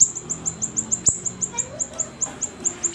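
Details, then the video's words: Siri-siri songbird, kept caged, giving a brisk string of piercing high chirps about four each second, slightly softer than the loudest notes, with a low background hum. "KICAUAN BURUNG SIRI SIRI GACOR"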